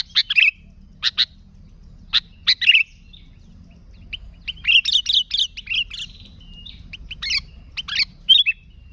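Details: Vocal sooty-headed bulbul used as a lure for bulbuls: scattered single and double sharp chirps, then a busy, jumbled twittering passage, ending with a few loud, separate notes.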